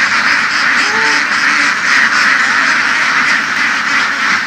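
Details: Big flock of egg-laying ducks moved through fields in western Vietnam; dense harsh quacking, with a couple of brief drawn-out calls rising above the mass early on.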